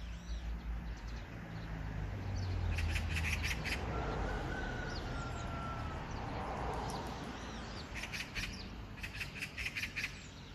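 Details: Magpie giving repeated groups of harsh, grating chatter notes, several bursts in a row, with a low rumble and a thin whistle of another bird.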